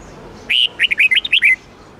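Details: Rapid twisting song of a red-whiskered bulbul, the 8-9-10 note style used in daily song training: a drawn-out first whistle, then seven quick, looping, bright notes ending on a slurred downward note.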